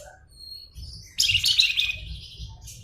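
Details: Flamboyan giving a sudden buzzy, dense burst of high twittering that lasts about a second and then trails away, over a steady low background hum.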